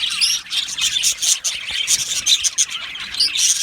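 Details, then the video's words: Aviary budgerigars, a colony of Australian budgies twittering: thick, high, buzzy chirping with scattered sharp squeaky notes, continuous and lively. "Budgie Chirping Sounds"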